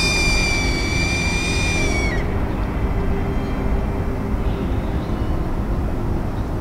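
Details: In summer in a garden by the National Mall in Washington, D.C., a red-tailed hawk gives one drawn-out, high, harsh scream that drops at the end and lasts about two seconds, over a steady low rumble of city traffic.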